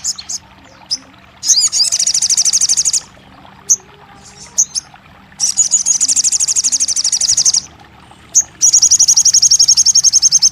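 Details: Crested jay meant to prompt a non-singing bird. Three long bursts of very high, rapid, rattling trill, separated by quiet gaps with faint single chips.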